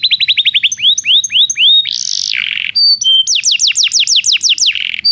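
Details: Belgian canary song used for training non-singing canaries: a fast series of rising notes slowing into longer upslurs, a brief buzzy burst, level whistles, then rapid descending whistles.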